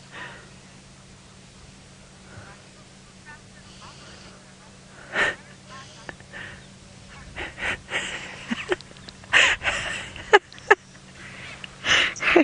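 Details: On a calm early morning on 18 August 2017 in the Sabi Sand area near Kruger Park, South Africa, oxpeckers give harsh, scratchy hissing calls in quick uneven bursts, growing busier toward the end, while a man talks quietly over them.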